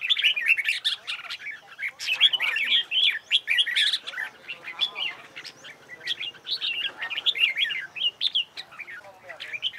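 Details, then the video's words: Competition-style song of red-whiskered bulbuls, played for singing-contest practice: busy, overlapping whistled chatter in quick phrases, loud bursts alternating with brief dips. "CHÀO MÀO HÓT ĐẤU HAY"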